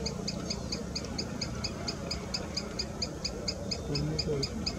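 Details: A Green Sandpiper standing at the edge of a village pond on an early-December morning calls a steady run of short, high, clipped notes, several per second, over a low rumble and faint voices.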